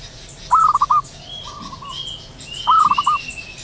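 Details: Local wild zebra dove in the morning, calling actively: two short bursts of four or five quick, bubbly, upslurred notes about two seconds apart, with softer steady whistles and higher thin notes from other birds behind.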